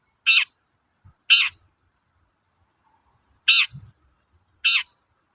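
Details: Four scratchy, harsh toet-toet notes from a long-tailed shrike, spaced unevenly in two pairs, with a faint low knock between them; the call is used to goad other shrikes into singing.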